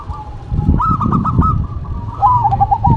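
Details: Cooing song of zebra doves duetting, a local bird and a cemani: a quick run of stuttered coos followed by a rolling, wavering trill, with low rumbling noise underneath.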